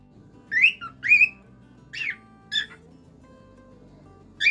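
A cockatiel gives bright, rising whistled notes in short bursts, about five phrases in under five seconds, over a faint low hum.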